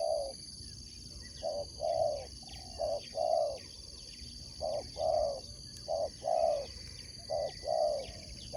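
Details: Spotted dove kept for sport dove competition, cooing steadily in repeated two-part phrases, a short note followed by a longer warm coo, roughly every second and a half. A persistent high-pitched whine and faint chirps are also heard.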